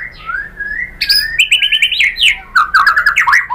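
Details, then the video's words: White-rumped shama song played as a lure to provoke rival birds: a rising whistled opening, then fast rattling series of repeated slurred notes and sharp high chips in quick varied phrases, loud and continuous. "MURAI BATU Langsung NYAMBER EMOSI BONGKAR MATERI ¦ PANCINGAN MURAI ¦ SHAMA BIRD"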